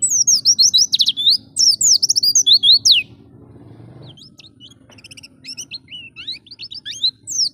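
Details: A vigorous Oriental white-eye in the wild-type ngalas singing style, used to provoke and train pet white-eyes. It pours out rapid bursts of very high, sweeping chirps, then pauses before thinner, scattered twitters. A faint low hum runs underneath.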